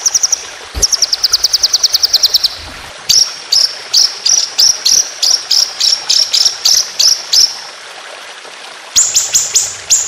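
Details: White-rumped shama singing long, rapid rolling 'tembakan' phrases as a tutor for competition birds. A fast train of high chips leads into a steady run of separate sharp notes, then a brief pause and a final quick burst.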